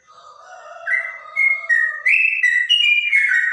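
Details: Trotok with a clear voice likened to a straw-headed bulbul: soft low whistles rising into a bright series of level and stepping whistled notes, growing louder, with no other sounds.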